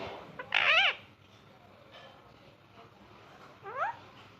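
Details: Ringneck parrot, kept as a pet and described as talking and having fun: a short harsh, harmonic screech with a quick up-down shape, then a second briefer rising call about three seconds later over quiet indoor background.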